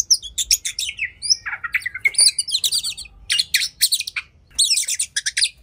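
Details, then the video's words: Rapid, excited oriental magpie-robin song in fighting mood: high scratchy chatter and brief whistles, a few slurred mid-pitched phrases, with short gaps between dense bursts. Said to make other magpie-robins agitated enough to spread their tails. "Kacer Gacor Tarung Emosi Tinggi! Buat Kacer Lain Langsung Ikut Emosi Auto Buka Ekor"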